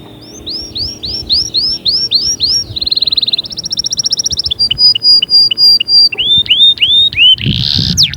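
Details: Canary song aimed at rousing other canaries: series of arched whistled notes, a buzzy trill, fast clipped notes, then rising upslurs, ending in a harsh burst.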